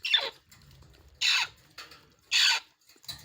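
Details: Grey parrot chicks held for sale at Noida, India, give harsh, hissing rasps about a third of a second long, roughly every second, with softer wheezy notes between them.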